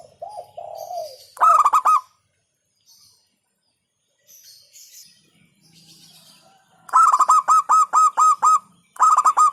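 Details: Local zebra dove song: a soft warbling coo first, then loud bursts of rapid, stuttering cooing notes. Two tight groups of evenly pulsed coos follow after a quiet gap, with faint chirps between.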